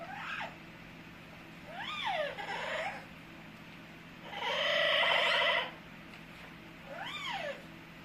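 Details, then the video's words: Pet Amazon parrot making funny noises: several arched, rising-then-falling whistled squawks, one longer harsh buzzy call in the middle, and a final arched whistle, all over a steady low indoor hum. "My Amazon parrot Hecko is making funny noises"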